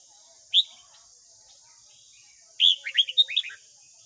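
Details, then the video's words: Morning song of a white-cheeked red-whiskered bulbul, played daily to train young captive birds: one sharp whistled note, a two-second pause, then a lively burst of six or seven bubbling, rising and falling notes against constant high hiss. "Luyện giọng chào mào hót sáng"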